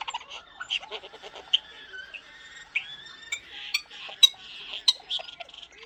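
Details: Common starling, a talkative pet bird kept indoors, giving a soft, quiet run of clicks, rattles, squeaks and thin whistles with a few sharp high notes, loosely mimicking sounds; no human voice clear.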